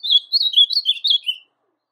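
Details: Captive blue-black grosbeak in brown (pardo) plumage delivers a brief, rapid warbled phrase of high, sweet chirped notes that drops slightly at the end, sung to stimulate other grosbeaks to sing; no other sounds.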